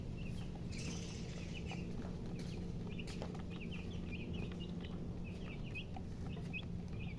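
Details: Baby chicks giving faint, high, repeated peeps, partly masked by a strong low hum and steady background noise.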